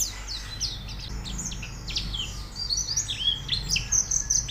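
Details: Training recording to get white-eyes singing: high, thin twittering and short whistled notes, busier and louder toward the end, over noticeable background noise and low hum.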